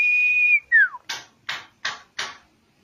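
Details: Common iora singing as bait for other birds: a held high whistle slurring into a falling note, followed by four sharp, evenly spaced clicking or snapping notes.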